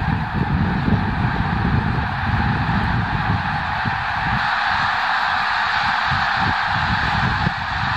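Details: Snow geese, a flock of over 30,000 disturbed by a limping black bear in January 2016, making a dense, continuous honking clamour with a low rumbling roar beneath.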